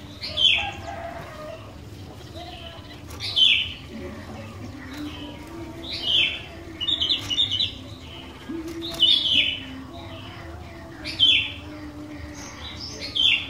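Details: Sooty-headed bulbul singing to lure other bulbuls into song: short chirpy whistled phrases repeated roughly every two to three seconds, set against a steady background murmur and low hum.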